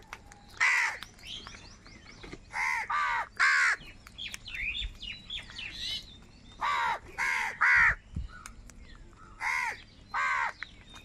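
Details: Huge numbers of crows crowing and crying while fighting for food. Loud, rasping caws come in pairs and short bursts every second or two, with thinner squeaky calls from other birds between them.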